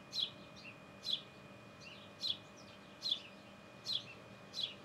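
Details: Sparrow in its nest giving short high chirps, one roughly every 0.9 seconds, six in all, each a sharp note with a faint lower tail, over a quiet steady background hum.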